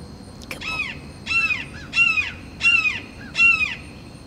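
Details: Perched red-shouldered hawk giving territorial calls at rival hawks: loud, harsh, downslurred notes with rich harmonics, five in a row about every 0.7 seconds, the first fainter, over a low background hum.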